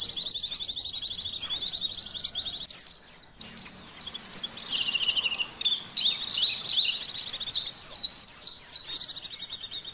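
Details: White-eye song used to test a bird's mental state, emotion and arousal: dense, rapid, high twittering chatter of slurred chirps and trills, with a brief pause near the three-second mark before the warbling resumes.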